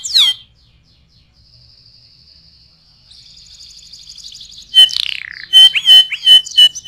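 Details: Canary song for tutoring other birds: one sharp swooping note, then a soft, thin, high trill that slowly swells, followed by loud abrupt chips and short ringing whistles.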